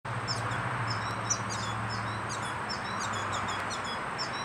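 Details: Yellow finch feeding young; quick, thin, high chirps repeat through the clip over a steady low hum and broad background hiss.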